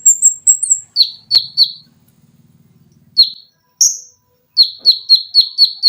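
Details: High, fast trilled notes from an olive-backed sunbird give way to sharp chips, then a tight burst of rapid shots, recorded as a tutor for cage birds, with a faint low hum.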